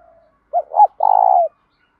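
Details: Spotted dove kept to train and provoke other doves, giving a two-part coo, then a long even purr that tails off downward, with a faint soft note before.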